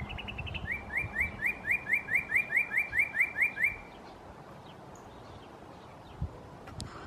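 A northern cardinal sings a fast run of about a dozen clear, upslurred whistles, roughly four per second, then falls silent over a low background rumble.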